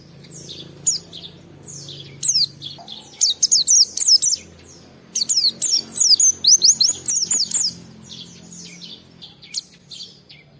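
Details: Oriental white-eye (pleci) kept at home, singing to draw responses from other white-eyes: scattered high chirps build into rapid runs of thin falling whistles, over a faint low hum.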